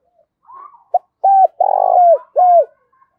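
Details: Spotted dove giving a urging cooing call used as a lure to make wild doves answer: a soft low note, a short clipped coo, then three strong level coos, the middle one longer and pulsing, in quiet surroundings.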